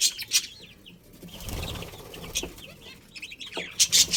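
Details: Budgerigars, a pet breeding pair, chirping at home: short high warbled chirps and twittering notes, interrupted by broadband bursts of wing flapping or rustling and a quieter low rumble midway.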